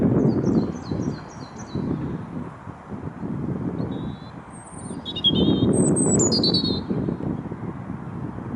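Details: A European robin sings from a tree at Bailey Hill castle site, Mold, Flintshire, Wales, on 27 February 2022: thin, high, wavering phrases of varied notes with short pauses, over a low rumble of wind and distant traffic.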